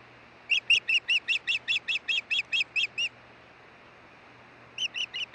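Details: Osprey at its nest at Hellgate, Montana, on 16 June 2013 around midday, as the male brings a stick and the pair changes over on the nest: a run of about twelve sharp, high, whistled chirps, a pause, then four more.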